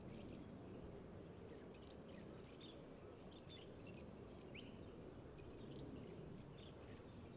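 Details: Little lorikeets at Marstaeller Rd Reserve, Mount Crosby, south-east Queensland, on 3 May 2023, give short, shrill, high-pitched screeches in scattered bursts, several in a few seconds, over a steady low rumble of wind or distant traffic.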